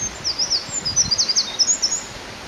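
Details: Loud, vigorous song of a Eurasian wren on a forest road beside a stream: a quick, piercingly high string of sharp, swooping notes and twitters, delivered without a break against a soft background hiss of running water.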